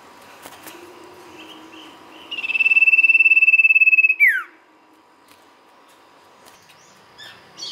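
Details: Sirtu lure recording: after a quiet start, a single loud, rapid pulsed trill of about two seconds ends in a sliding downward note, then near silence.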